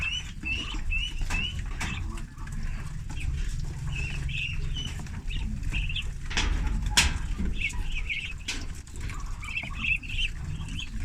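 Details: A group of thirty young ducklings on a farm during feeding, with bursts of shrill, high peeps in clusters separated by brief pauses, and occasional sharp clicks and thumps from feed and movement over low background rumble.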